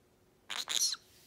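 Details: Pet green-cheeked conure getting sensitive while his foot is touched: a brief high two-part squawk, the second note longer and ending in a slight downward slur, over faint room hiss.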